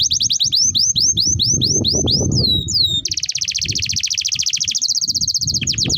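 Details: Young canaries' tutor song, sung long and continuously by a canary: a series of rising slurred whistles repeated about three times a second, then an unbroken rapid trill that drops lower near the end.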